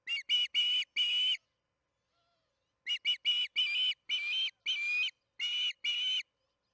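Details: Charlo osprey nest, evening feeding at 8:15 pm MDT, June 21, 2019: four shrill whistled chirps, a pause of about a second and a half, then nine more, the later ones longer.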